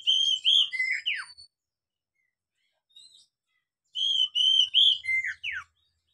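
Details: Oriental magpie-robin song played to train young captive birds to sing: two matching phrases of clear, sustained whistles ending in a sharp falling slur, separated by about two and a half seconds of near-silence.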